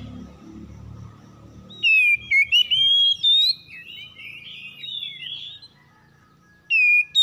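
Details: Oriental magpie-robin (kacer) song in the morning, birds answering each other in a harsh 'kasar' manner. Low rumbling noise comes first, then loud clipped whistles and a rambling, slurred warble, ending with a sudden bright note.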